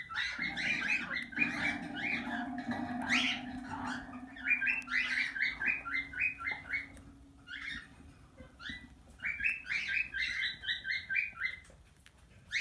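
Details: Tame talking plum-headed parakeet chattering in rapid runs of high squeaky chirps, about four per second, in bursts separated by brief pauses, over a steady low hum.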